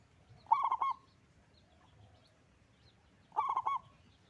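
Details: Two bursts of rapid, rolling cooing from a strongly singing local zebra dove noted for its big voice, each phrase a half-second run of pulsed notes about three seconds apart.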